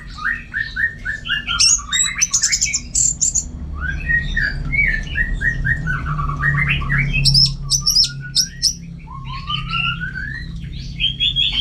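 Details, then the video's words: Orange-headed thrush singing at home: strings of repeated whistled notes stepping up in pitch, sharp high chips mixed in, loud and fast, with a humming low background. "Super Kicauan ANIS MERAH Gacor"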